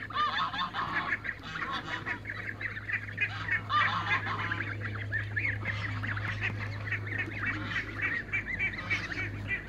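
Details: Running through a backyard, a group of young Toulouse geese gives a dense, continuous chatter of high peeps and squeaky notes, several birds overlapping, with a constant low mechanical hum underneath.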